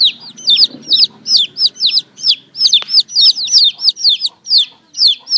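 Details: Domestic chicks in a morning setting peep insistently, high whistled notes tumbling downward in an irregular, crowded series, with light low rumbling near the start.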